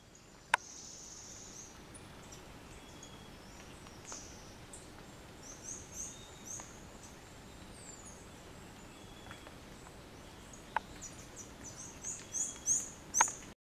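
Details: Dusky bush-tanager, a near-endemic, in a mixed-species flock eating insects and fruit along a road in a reserve, gives thin, very high chips, scattered at first, then a quick burst of four or five at the end, over a steady hiss.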